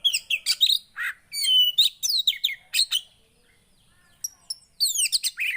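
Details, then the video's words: Song of a kept Javan white-eye, played to start a silent bird singing: quick high chirps and falling slurs in bursts, a brief quiet gap, then more rapid twittering. "Ampuh Buat burung poci yg Macet!"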